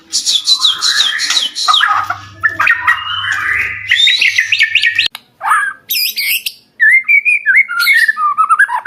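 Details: Energetic White-rumped shama song meant to stir other shamas to sing back: fast cascades of high notes, buzzy trilled runs, sharp squeaky bursts and a final series of warbled whistles.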